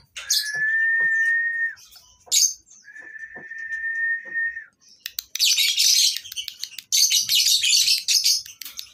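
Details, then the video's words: Lovebirds at a breeding farm give long steady high whistles broken by sharp chirps, then a dense burst of shrill, rapid chattering from many birds. "SUARA LOVE BIRDS PETERNAKAN LOVEBIRD COCOK BUAT MASTERAN LABET MACET BUNYI"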